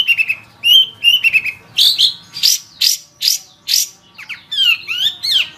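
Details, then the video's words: Long-tailed shrike song from a tutor recording for caged songbirds: varied phrases mixing clear descending whistles, a run of scratchy rising notes and quick slurred twitters, delivered briskly and energetically. "Suara Burung Cendet | Gacor"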